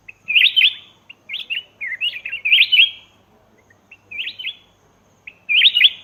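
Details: Black-crested bulbul from Laos calling, used as a lure for wild birds: repeated brief cheerful phrases of quick up-and-down whistled notes, some clustered, with gaps of under a second.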